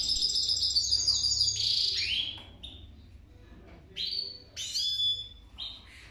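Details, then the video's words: High, sweet goldfinch song opening with a dense run of twitters and slurred whistles, then breaking into short separate chirps and downslurred notes with quiet gaps, low hum in the background. "Gold Finch The Best singing video"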